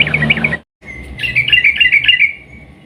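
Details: Yellow-vented bulbul (trucukan) in lively, long-trilling 'ropel panjang' song with clicking 'nguklik' notes, used as a lure to make other bulbuls sing; a short bubbly phrase, a brief pause, then a longer warbled burst of quick notes.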